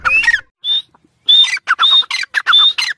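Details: Chukar calling loudly and up close: short, high, clear whistles broken by gaps, then mixed with raspy, rapid chatter in a stuttering rhythm.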